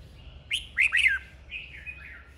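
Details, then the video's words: Red-whiskered bulbul in a caged singing duel, played to rouse a young bird into fighting form. Three loud, bright, down-slurred whistled notes in quick succession, then softer warbling phrases trailing off. "Chào mào hót đấu"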